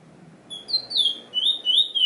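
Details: Trinidad bullfinch (chestnut-bellied seed finch) gives a short series of clear, slurred whistles dipping and rising, spaced about a quarter second apart, over a faint low background hum.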